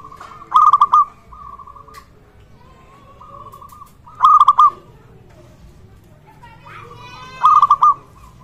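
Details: Zebra dove (local perkutut) calling eagerly, a sound used to draw other zebra doves into calling. Three clipped coo phrases fall roughly every three and a half seconds, separated by softer drawn-out tones and light background hiss.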